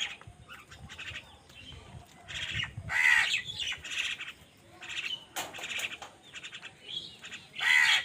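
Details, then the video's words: Angry crows squabbling with wild birds over food: harsh, drawn-out caws arching through the middle register, loudest near three and eight seconds, amid rapid chattering bursts and squawks from other birds. "Angry kawa ki awaaz"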